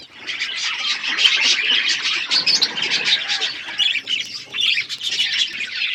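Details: Budgies in a flock while eating food, giving a continuous jumble of raspy squawks, chirps and warbling chatter from many birds, steady in loudness throughout.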